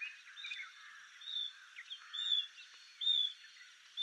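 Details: Painted bush quail whistling softly as members of a scattered covey regroup. Brief, high, clear notes come about once a second over a hissy natural background.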